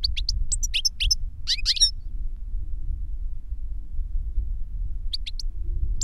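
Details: European goldfinch reclamo song, from a master bird or its CD-trained novice pupil; two seconds of sharp tinkling twitters, a long silent gap, then a short twittering burst, over a constant low rumble.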